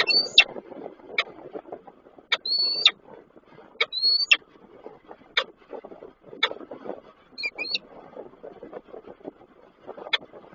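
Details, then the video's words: Male peregrine falcon calling the female at Koszalin, Poland, on 23 December 2023, while an unringed bird, probably her, flies past. Short high, thin notes and sharp clicks scattered irregularly over low rumbling background noise. "samiec Nilę woła"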